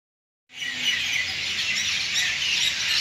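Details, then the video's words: A dense evening chorus of many small birds at Madhugiri: high, overlapping chirps and twitters blending into a continuous shimmering wash, with no other sounds standing out. "amazing evening singing birds"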